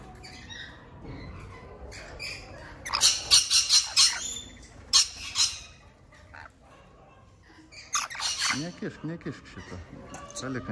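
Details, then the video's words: Rainbow lorikeet giving harsh, screechy squawks in two bursts of rapid, grating notes, with softer chatter between; a voice is also faintly heard. "Rainbow Lorikeet Bird Sound, Bird Song, Bird Call, Bird Calling Chirps"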